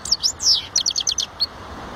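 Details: European goldfinch giving a brief twittered phrase: a couple of slurred high notes, then a quick series of short clipped chirps ending in a single bright note.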